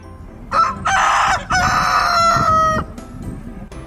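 A rooster crows loudly: a short first note, then a long, harmonically rich, drawn-out phrase lasting over a second. Faint room noise is heard afterward.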